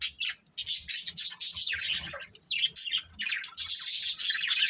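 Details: Budgerigars in a family group chirp busily, giving rapid high squeaky notes and buzzy warbles in quick succession, with short dips between runs of chatter.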